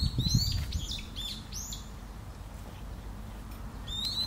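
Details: Long-eared owl parent and young on Tsushima: a burst of shrill, high squeals with steep downward bends in the first second and a half, a quiet gap, then another thin drawn-out whistle, with low rustling early on.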